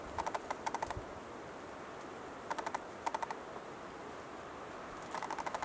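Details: Wild male western capercaillie displaying at dawn: short bursts of dry, hollow clicks, several in quick succession, repeated every couple of seconds over soft rustling.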